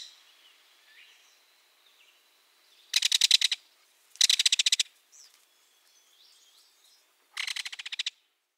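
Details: A Belted Kingfisher, apparently approaching along a creek, gives its clattering call: three loud, dry rattles, each about half a second of rapid harsh clicks, with a few faint chirps between; Belted Kingfisher.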